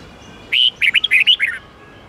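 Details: Training song for caged red-whiskered bulbuls, 8-9-10 note type: one strong whistle, then a tight run of about seven curling notes that step downward at the end over a quiet background.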